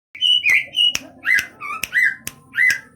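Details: Large greater green leafbird from East Java: clear, slurred whistled notes, some rising and some falling, about three per second, broken by sharp clicking knocks and a faint low background hum.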